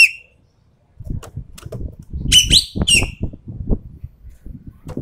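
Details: Sumatran treepie, endemic to Sumatra, producing a couple of harsh rasping bursts and a brief whistled note amid repeated low thumping and rustling sounds.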